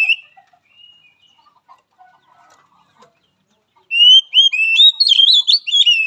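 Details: Oriental magpie-robin song used to train a weak-spirited bird: faint scattered chirps at first, then a sudden loud run of bright whistled notes, slurred and warbling, continuing to the end.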